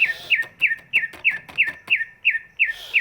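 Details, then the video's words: Large greater green leafbird whose song serves as a lure for birds slow to sing: ten bright downslurred chirps repeated about three per second, evenly spaced, with faint clicks between. "cucak ijo body big, suaranya bisa buat pancingan burung yang malas bunyi"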